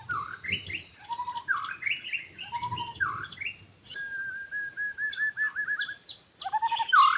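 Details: Wild white-rumped shama in forest, recorded while trapping birds: loud varied phrases of swooping whistles, then a level run of rapid repeated notes and a strong closing whistle, over a faint high insect drone.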